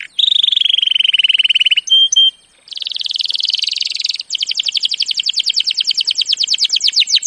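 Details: Canary training song opening with a steady rolling trill, a short pure whistled note, a brief gap, then a dense buzzy trill and a long run of rapid falling chirps.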